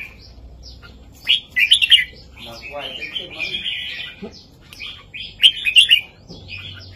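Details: Southern Thai master song of a red-whiskered bulbul, played to teach young birds and make listening birds excited: two bursts of loud, fluty notes framing a run of chattering, bubbly warbles.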